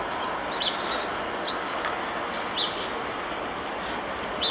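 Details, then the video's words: Common starling singing by a nest box: a string of thin, high whistled notes and short slurs scattered over a steady hiss of background noise. "Common Starling Bird Song and Call By Nest Box"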